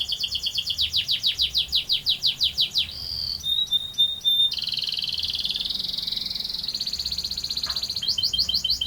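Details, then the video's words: Long rolling canary song: rapid descending repeated notes, a brief rattle and chip series, then an extended high buzzy roll ending in quick sweeps. "Burung Kenari Gacor Ngerol Panjang"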